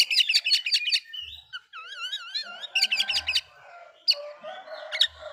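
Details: Oriental magpie-robin song meant to anger other magpie-robins: a quick series of sharp repeated notes, then a wavering trilled whistle, another burst of sharp notes and scattered chips.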